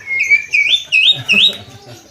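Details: Javan myna, a kept bird in full song, giving a run of loud whistled phrases that slide upward, each rising note repeated about three times over two seconds.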